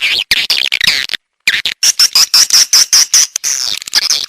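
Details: Swiftlet calling sound for attracting swiftlets: harsh, buzzy high twitters broken by a brief silence, then a run of clipped, thin whistled notes repeated quickly.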